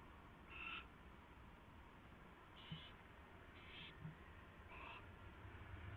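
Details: Owl at its nest during a mouse delivery and feeding, 4:21 AM, February 24, 2016; four short raspy, hissing calls spaced unevenly over six seconds, with a steady low hum and faint knocks underneath.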